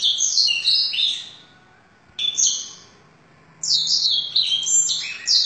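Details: Canary trained on blackthroat song: high-pitched rapid trills and twittering warbles in bursts, broken by two pauses of about a second, then resuming with dense chattering phrases.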